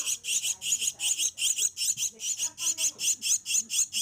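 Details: Javan myna nestlings, kept and hand-fed from a young age, give continuous harsh, hoarse, hissing begging calls in rapid pulses about two or three a second, with faint background voices.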